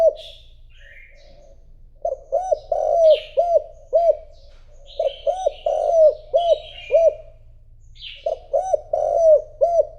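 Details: Caged decoy spotted dove urged to coo to lure wild rivals: bursts of three to five low, rounded, hollow coos in quick succession, each burst repeating every two to three seconds, with faint chirps from other birds higher up.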